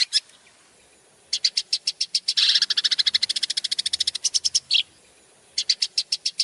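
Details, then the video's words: Long-tailed shrike, a champion bird, in a song recording used for training: after a near-silent start, a rapid run of high, clipped notes swells into a dense burst, then breaks off and resumes in shorter quick series over faint background hiss. "masteran cendet juara"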